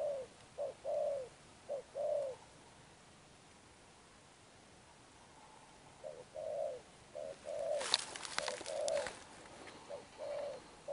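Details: Spotted dove cooing in the "gù âm sấm thổ" style: bursts of short-then-long low hoots with a pause midway. A loud rustling or scraping noise interrupts briefly near the end.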